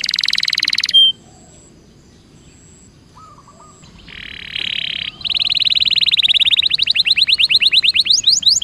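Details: Canary song played as a lure to get reluctant canaries singing in a rolling style: a buzzy burst, a near-silent gap with faint thin whistles, then a fast rapid trill of rising-falling notes building toward the end.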